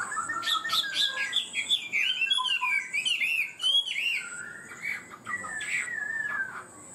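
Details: Chinese hwamei songbird from Vietnam delivering high 'cao cầu' song with fast, stable phrasing: rich, rapidly changing whistled phrases that rise and swoop, some very high and sharp, flowing without long pauses, over a faint constant high-pitched tone.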